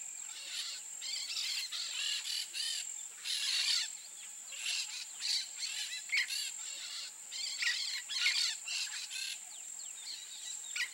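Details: Several free peach-fronted parakeets chatter and screech harshly and near continuously, their raspy notes overlapping with a constant high-pitched buzzing drone.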